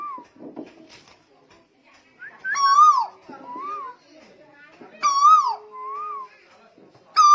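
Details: Tuwu from Lombok in lively song, repeating a powerful falling whistle with a soft undulating follow-up note, against quiet voices and faint knocking.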